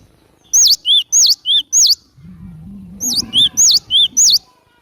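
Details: Cinereous tit song for luring wild birds: two bursts of five clear, ringing whistles in quick succession, high downswept notes alternating with lower ones, separated by a brief low humming sound.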